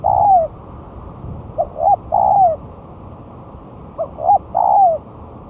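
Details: Mellow lure song of a spotted dove one month after moulting: a long descending coo, then two phrases of brief upturned notes leading into a drawn-out falling coo, spaced by short pauses.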